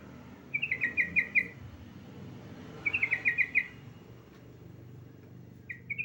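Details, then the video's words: Yellow-vented bulbul female calling for a male, giving two quick bubbly runs of about six bright chattering notes each, roughly two seconds apart, then a short chip at the end over a low rumbling background. "BURUNG TRUCUKAN BETINA MEMANGGIL JANTAN"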